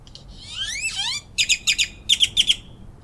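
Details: Grackles recorded in Rockport, Texas: a rising whistled slur, then a series of harsh, clattering notes repeated about every quarter second, high-pitched and metallic.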